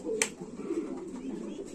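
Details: Lahori pigeons kept on a farm in Comilla, Bangladesh: low, throaty cooing murmurs run steadily through the clip. A sharp click or clatter cuts in near the start, over a roomy indoor background.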